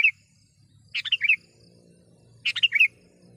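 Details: Two lively phrases from a sooty-headed bulbul luring wild birds, each a burst of quick chattering notes ending in a bright falling warble, with a soft low hum underneath.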